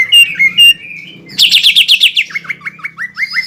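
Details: Caged greater green leafbird singing to provoke a rival: two clear whistled notes, then a fast buzzy trill, then a string of rising slurred whistles repeated about four times a second.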